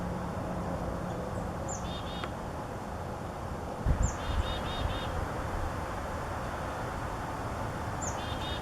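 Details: Black-capped chickadee in Ohio giving three chick-a-dee calls used to communicate with other chickadees, each a thin high note followed by two to four buzzy dee notes, over a steady low rumble.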